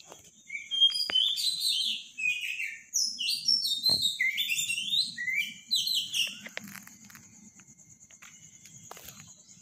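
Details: Morning song of a robin, loud and powerful, delivered as a long run of quick, high, downward-slurred twittering notes in varied phrases with brief gaps. A constant high-pitched hum runs underneath and the singing fades toward the end.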